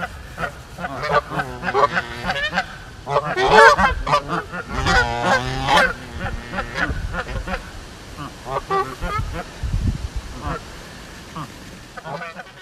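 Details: Farm geese honking loudly and repeatedly, several birds overlapping in raucous nasal blasts that peak around the fourth to sixth second, then thin out into sporadic honks.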